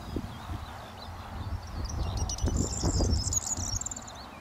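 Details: A corn bunting in a bush at Deadman's Hill, Hertfordshire, in June 2013. A quick, high, jingling rattle of rapid notes lasts about a second and a half, with gusty wind noise and faint warbling of other birds behind.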